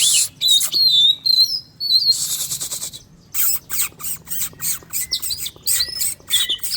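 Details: Oriental magpie-robin in breeding condition, sunning in the morning after a bath and a feed of crickets, sings bright, varied whistled phrases mixed with harsh, scratchy chatter and mimicked notes in quick bursts about a second apart.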